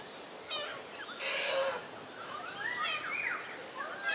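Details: Little corella recorded on 30 August 2011: harsh rasping screeches mixed with short squealing, bending whistles, set against a steady background hiss.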